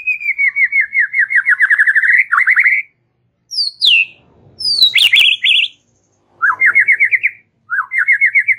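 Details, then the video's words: White-rumped shama in relaxed chattering used to spur young birds to sing: rapid buzzy rattling trills broken by sharp high downslurred whistles and clicks, each phrase separated by short silences. "Ocehan SANTAI Murai Batu"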